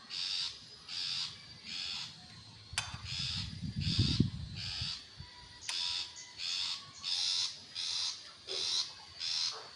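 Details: Long-tailed shrike giving rasping, buzzy notes in a loose series of roughly one and a half per second, interrupted midway by a loud low rumbling thud before the harsh notes resume.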